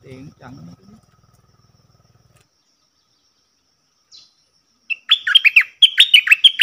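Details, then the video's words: Brief human voices and a low hum come first, then silence, then a cream-vented bulbul bursts into its 'double' song with fast, bubbly, looping notes repeated in two phrases; recorded 18 June 2021. "Merbah lekir gacor"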